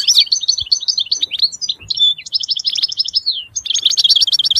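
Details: European goldfinch song: sustained rapid twittering with liquid trills and a sharp buzzy phrase near the end, sung without pause against a quiet background.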